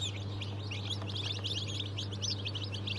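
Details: Chorus of many newly hatched chicks of mixed breeds (Brahma, Fizan, Australorp, Legbar), March 2023: dense overlapping shrill peeps with a loud low electrical hum underneath.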